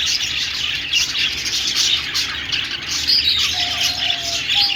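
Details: Budgerigars chattering together in a dense, continuous warble of high chirps and squeaks, with a few brief thin whistles near the end.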